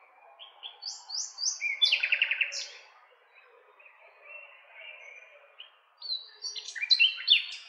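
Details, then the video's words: Nightingale singing: a series of rising whistled notes repeated in quick succession, then a loud rapid rattling trill, a quieter warbling passage, and a second burst of sharp varied phrases at the end. "Cantec de privighetoare - Nightingale's song"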